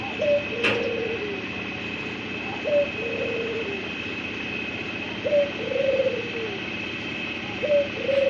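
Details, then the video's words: A white dove gives low, soft cooing phrases, each a quick rising note sliding down into a rolling coo, about every two and a half seconds, with a faint steady hum behind. "dove cooing sound"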